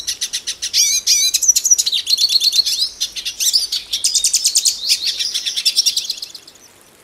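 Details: Pintassilgo cabeça preta, the Brazilian hooded siskin, singing a long lively high twittering song with sliding whistles, rapid buzzy trills and chattering phrases, fading out near the end.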